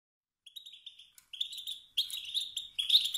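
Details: Male European goldfinch giving motivating calls that stir rival males to sing and compete for dominance: short buzzy twittering notes, thin at first after half a second of quiet, then denser and louder bursts toward the end.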